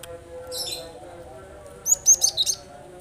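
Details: Cinereous tit (gelatik batu) sounding to coax silent birds into song: a brief buzzy high note, then a quick series of five sharp, high chirps, against a faint low hum.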